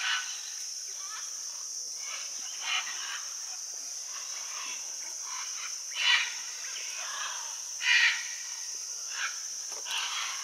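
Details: Flock of macaws at a Rio Tambopata clay bank in Peru, where Scarlet, Red-and-green and Blue-and-yellow Macaws gather in hundreds; rough screeching calls overlap irregularly beneath a steady shrill insect hum.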